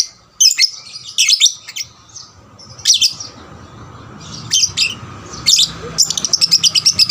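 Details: Young lovebird singing steadily, used as a lure to stimulate other lovebirds to sing; shrill, scratchy chirp bursts in short clusters with brief pauses, ending in a fast rattling run of rapid notes.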